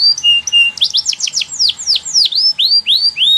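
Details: Canary in full song, offered as a model for young birds to learn from: a few steady whistled notes give way to fast series of sharply falling, slurred chirps, each repeated several times in quick succession.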